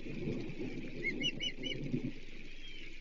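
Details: Osprey at a Chesapeake nest during a thunderstorm around a fish delivery, 25 July 2023: a short run of high, thin, clipped chirps in quick succession, over heavy low rumbling storm noise and rain.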